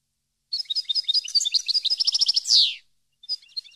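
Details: European goldfinch song for training captive goldfinches: rapid, tinkling high notes accelerating into a quick trill, ending in a drawn-out descending buzzy note, then a short burst of twitters after a pause.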